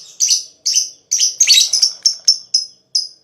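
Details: Lovebird chatter used as song therapy to stimulate other lovebirds: eight sharp, high chirps, some doubled and scratchy, spaced roughly every half second.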